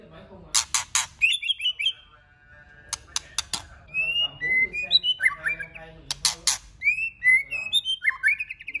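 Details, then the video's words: White-rumped shama song with many voices, used to stimulate other shamas; bursts of loud clicks and snaps between whistled, slurred phrases and short trills, delivered in a lively, uneven rhythm. "Kích Chòe lửa hót nhiều giọng"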